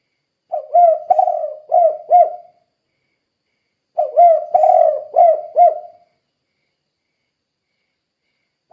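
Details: Lively tekukur (spotted dove) calling to stimulate other doves: two repeated four-part coo phrases, the long second note slurred, about three and a half seconds apart, with another starting at the very end.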